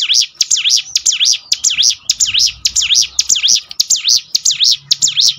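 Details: Bar-winged prinia song used to train birds to sing more often: a fast, steady run of high, sharp V-shaped chirps, each note sweeping down then up, repeated many times per second without a break.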